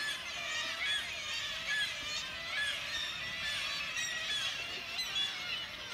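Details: Black-legged Kittiwake colony on the sea cliffs at St Abbs Nature Reserve: many overlapping nasal, wailing calls, roughly one a second, blending into a constant high colony clamour.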